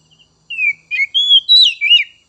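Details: Oriental magpie-robin whistling to stimulate untrained young and spotted 'trotol' magpie-robins: a falling whistle, a buzzy note, then level and rising clear whistles into a bright, warbling flourish.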